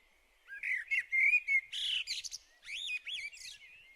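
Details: Common blackbird in Hungary singing a varied phrase: fluted whistles around mid pitch, rising and falling, broken by brief squeaky higher notes, delivered in two bursts with a short pause between.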